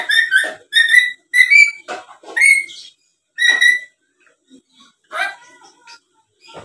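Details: A black-capped lory, tame and talkative, recorded as a lure for other birds to answer. A rapid run of ringing whistled notes, several sliding, comes in quick succession, then a scratchy squawk and softer notes.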